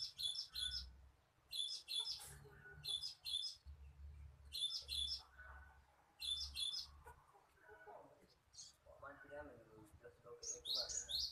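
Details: Cinereous tit song played to lure birds: high, sharp, clipped double-note phrases repeated about every 1.3 seconds over a low hum, giving way to softer, lower chattering notes near the end before the bright phrases return.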